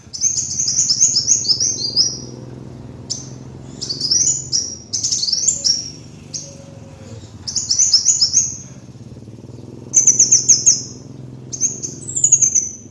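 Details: Kolibri wulung sunbird master lure song in repeated bursts: very high, rapid descending trills and twittering phrases, each one to two seconds long, separated by short pauses, with a continuous low hum behind.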